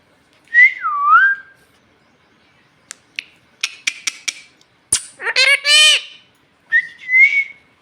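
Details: A pet talking parrot speaking Bhojpuri and asking for roti: a looping whistle, a burst of clicks, a grating rising voice-like phrase and a closing flat whistle.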